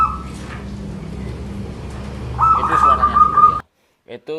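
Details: Male local zebra dove with a small, crystal, far-carrying voice: a clipped coo at the start, then a quavering trilled coo lasting about a second, amid low hum.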